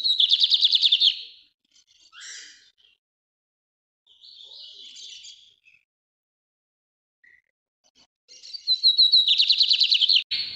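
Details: Brazilian bigodinho, or lined seedeater, in the northeast song style: a rapid, high-pitched trill opens, then brief scratchy notes and pauses, and a second bright rattling trill ends the passage.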